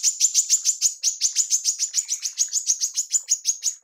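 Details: Female manggar serving as a training model for songbirds, producing an unbroken, fast, repetitive chatter of sharp high chirps, about three each second.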